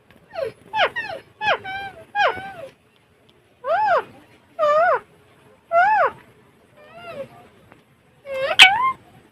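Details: Alexandrine parakeet uttering short, wavering, speech-like syllables in quick groups, then slower single syllables each about a second apart, ending with a shrill squeak.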